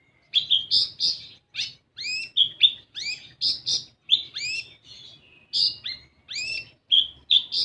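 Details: Olive-backed sunbird song used as a lure to get raw, untrained sunbirds singing: a busy, nearly continuous run of shrill chirps and upward-sweeping notes, delivered in quick clusters with short pauses.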